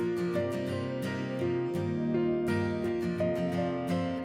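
Strummed acoustic guitar music with steady plucked chords and no animal sounds.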